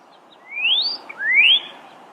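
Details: Pyrrhuloxia (desert cardinal, Cardinalis sinuatus), a bird of the southeastern United States and Mexico, gives two clear upslurred whistles, each rising steeply and sliding off at the top, about half a second apart.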